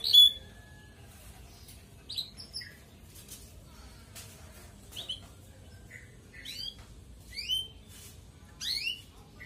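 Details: Red canary in ngerek style, sung as a lure for colony-kept birds to spur breeding: scattered short chirps and quick rising whistled notes, sparse and separated by gaps of quiet.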